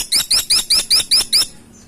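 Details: A Grey-and-buff Woodpecker calls in a fast run of seven high, upslurred squeaks, evenly spaced and loud, fading into near silence at the end.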